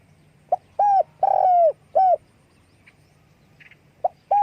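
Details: Spotted dove calling as it flaps its wings: a soft lead note, a short coo, a long falling coo and another short coo, then quiet with a faint chirp before the next coo begins.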